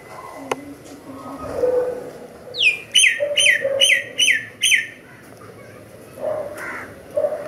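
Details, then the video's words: Myna singing five sharp, downward-sweeping whistled notes in an even series about every third of a second, framed by softer scattered chirps and quiet background sounds. "myna bird song / myna bird sound /mynah bird singing"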